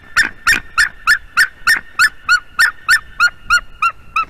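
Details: Mating pair of White-tailed eagles at a Latvian nest, late morning, 10 March 2020: a fast, steady run of about fourteen sharp barking yelps, three to four per second, loud and metallic, fading slightly toward the end.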